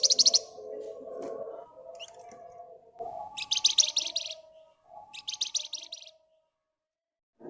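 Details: Flamboyan bird in ngebren rapat nyerecet song: a sequence of high rattling trills with pauses between them, some short chips, low murmuring background, ending in near silence.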